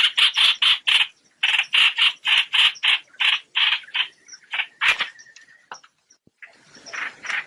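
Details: Trao trảo bird calling to gather its flock, as used for net trapping: strong run of harsh chattering notes that breaks up and fades into scattered softer calls toward the end.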